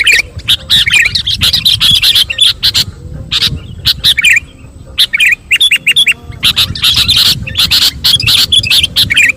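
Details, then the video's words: Sooty-headed bulbul in lively song during magpie-robin tutoring, loud chattering chirps and squawky notes in rapid clusters, a short quieter gap midway, then more packed bursts over a low rumbling background. "Kutilang Sutra Gacor manggung masteran muray"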